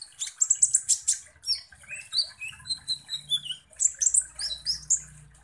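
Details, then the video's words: Kolibri ninja sunbird singing energetically as a lure meant to trigger an emotional response from other birds. Fast bursts of piercing chips give way to a run of short, thin whistles, then renewed rapid twittering, with a faint low hum beneath. "KONIN Langsung EMOSI dan NGOBRA dengan PANCINGAN kolibri ninja GACOR ini"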